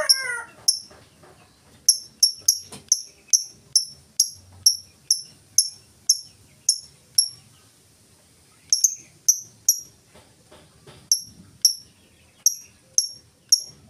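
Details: Lovebird ngetik song without ngekek chatter, meant as a lure for other lovebirds: crisp high ticks in steady runs of about two per second, pausing briefly mid-clip before the clicking resumes.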